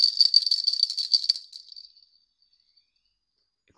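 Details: No animal sound; small bells jingle rapidly for about a second and a half, then fade into silence.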